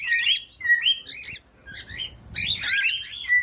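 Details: Cockatiel singing, meant for training a pet bird: a few warbling whistled phrases that slide up and down, a short lull, then a louder tangle of chirps and whistles.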